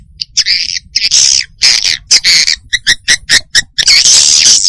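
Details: Swiftlet response call of the type called "SP Cina", used to call and get a response from swiftlets; loud, harsh buzzy chirps and rattling pulses repeated in quick bursts, some notes long and grating, with short silent gaps between.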